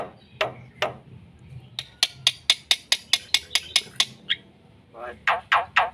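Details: Chattering song of a black-winged myna, full of varied phrases, played to stir other birds: a few broad harsh calls, then about a dozen evenly spaced dry ticking notes, followed by more rasping bursts.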